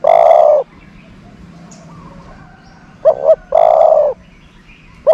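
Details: Decoy dove for attracting doves repeats its phrase: an extended coo, a gap of about two seconds, then a clipped double note and a second long coo, with a thin whistled call faintly in the background.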